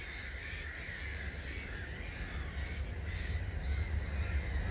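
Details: Huge flock of about 250,000 starlings leaving its roost at dawn, 05:45, 21 March 2022, Gibraltar Point NNR; dense wheezy chatter swelling louder toward the end, with deep rumbling beneath.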